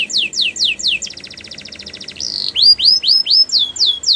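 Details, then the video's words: Canary performing training song: a series of sweeping downslurred whistles gives way to a rapid even trill and a brief buzzy note. Repeated high descending swoops about four per second close the phrase. "The best canary sounds | Canary song for training"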